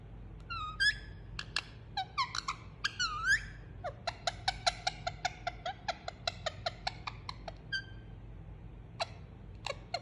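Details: Pet Indian ringneck parakeet enjoying a cuddle and making soothing sounds: a few looping, whistled harmonic notes that rise and fall, then a run of short clicky chirps spaced about every half second over a low room hum.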